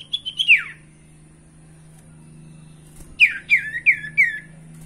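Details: Lure recording of a sirtu, meant to start caged birds singing. A falling whistle opens, then after a quiet gap a quick run of four sharp, descending whistled notes, over a low steady hum.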